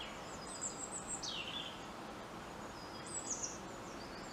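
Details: European robin singing from a treetop in the wild: thin, high whistled phrases sliding downward, with a long descending glide, then a pause and another short high phrase, over a steady background hiss.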